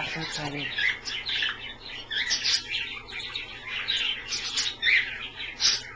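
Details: Several pet Australian parrots chatter together in a dense, high twittering of quick overlapping chirps and squeaks while bathing in a dish of water indoors, steady throughout, with a brief low murmur at the start.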